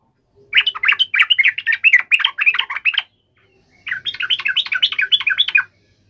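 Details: Provoked fighting chatter of a yellow-vented bulbul, used to make a bird respond: two dense bursts of rapid, bubbling notes, the first lasting about two and a half seconds, the second shorter after a brief silence.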